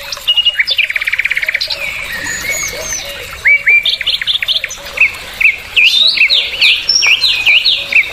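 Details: Adult breeding bulbul, locally called bulbul belang or bulbul tenggorokan, singing a lively varied song: a fast rattling trill at the start, then clear whistled notes and quick upswept chirps tumbling in irregular bursts.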